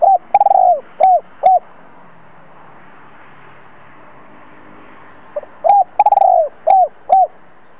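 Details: Spotted dove decoy calling to lure wild doves, giving short arched cooing notes in quick bursts of three to four, then a pause of several seconds before another burst, with a faint low hum behind.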